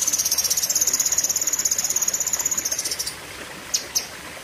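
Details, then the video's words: Cucak kinoi delivering a long, sharp song burst: a fast, steady stream of shrill high notes for three seconds, followed by two separate sharp chirps. "Tembakan Ngeri Cucak Kinoi (Pedes Panjang)"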